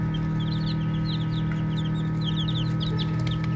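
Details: Baby chicks playing and peeping softly: a run of short, high, slightly falling chirps in small groups, some overlapping, against a persistent low-frequency hum.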